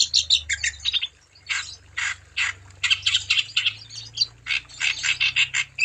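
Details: Wambi song intended to get other wambi birds singing; bursts of harsh, buzzy chirps in uneven clusters with short gaps, over a faint low hum in the background.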